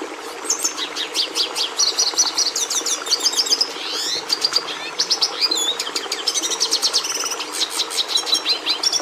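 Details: Song of a red siskin, the Venezuelan species used by breeders to bring red colouring into domestic canaries: a long, rapid, unbroken warble of high twittering chips, buzzy trills and quick rising slurs, scratchy and energetic throughout.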